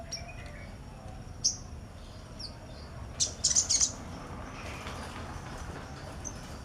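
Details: Sunbird kept beside a female and chirping busily: a few scattered very high, sharp tweets, then a quick cluster of four piercing chirps, over steady low background hum.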